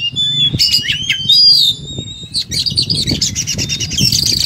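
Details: Oriental magpie-robin in combative mode running through learned material: long clear whistles with slides and trills, then dense scratchy chattering; fluttering and knocking sounds and a low hum mixed in.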